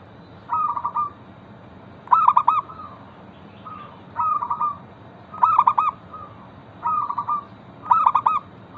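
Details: Local zebra dove singing steadily, used as a lure to prompt other zebra doves to answer: stuttering, rolling coo phrases rich in overtones alternate with shorter softer trilled coos, a phrase about every one and a half seconds, over a low steady hiss.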